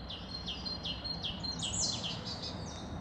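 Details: Marsh tit in the Ede woods, Netherlands: a series of short, high, sweet notes, each repeated about every half second, with a brief overlapping higher call midway against a faint low background rumble.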